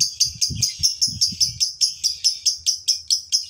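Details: Male fighter lovebird chattering as a lure for other lovebirds: high, rasping notes repeated about four times a second in an even rhythm, with a few low thumps early on.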